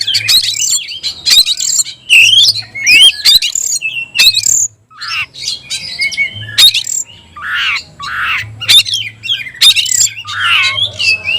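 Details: A caged oriental magpie-robin from Indonesia singing vigorously: loud, varied high whistles, sharp clicks and buzzy trills in quick bursts, with brief pauses between phrases and a faint low hum in the background.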